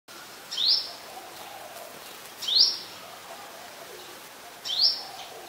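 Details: Brown-throated sunbird recorded in Ubon Ratchathani, Thailand, on 2 January 2021 with a Nikon P1000: three sharp, high, upslurred chips about two seconds apart over a soft, steady background hiss.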